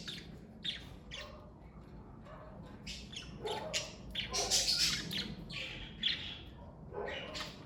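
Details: Budgerigars from a family of pet parakeets chatter with quick, uneven bursts of scratchy chirps and short squawks, softer at first and then a denser, louder cluster in the middle.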